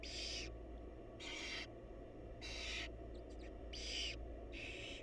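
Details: In a wild barn owl nest box, the mother feeds her chicks while five harsh hissing screeches follow each other at about one-second intervals, with faint chirps between them and a low hum throughout.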